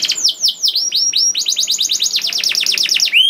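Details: Canary song played to coax caged canaries into singing: sweeping downward whistled notes, then a fast run of sharp descending chirps, loud and clear with no other sounds.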